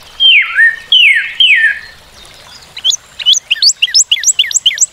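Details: Northern cardinal song opening with three long, loud whistles sliding steeply downward, followed after a brief gap by a quick string of short upslurred chirps.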